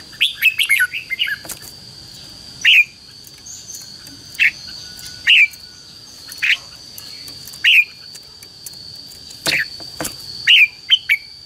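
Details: Red-whiskered bulbul giving fighting-style song (chào mào hót đấu), used as decoy sound to lure wild birds and excite or train captive bulbuls; short bright chirped phrases repeated at uneven gaps over a steady high background hum.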